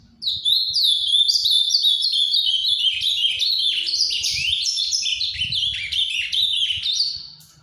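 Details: Ultramarine grosbeak of the Paraná form singing a rich, rapid warble of high sweet notes, many slurring downward, running unbroken for about seven seconds; faint low rumble beneath.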